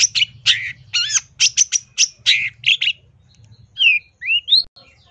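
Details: Long-tailed shrike in full song with fillers. Harsh rasping notes and a looping whistle give way to clear upward-sweeping whistles, over a low rumbling background.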